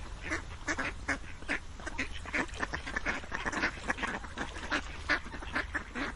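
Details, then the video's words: Rapid runs of nasal duck quacks, several per second, forming a lively, chattering stream from many birds at once. "Quacking Duck sounds"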